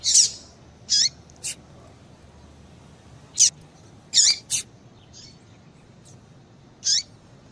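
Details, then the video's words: Female papa-capim (seedeater) calls played to excite a male into singing: short, high, scratchy chip notes scattered irregularly, some in quick pairs, over a faint low background hum. "Piado de Fêmea de Papa capim Para Esquentar Papa capim"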